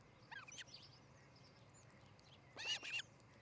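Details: Nesting osprey near Charlo, Montana, on 13 July 2018: faint thin chirps early on, then a louder pair of bright, high whistled notes near the end, against a quiet open-country backdrop.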